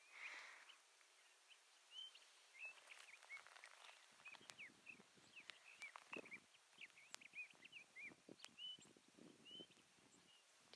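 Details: Sage thrasher singing in sagebrush high desert near Mono Lake, a long, never-ending song of quick varied whistled and warbled notes, some rising, some falling, over soft footsteps and rustling in the first seconds.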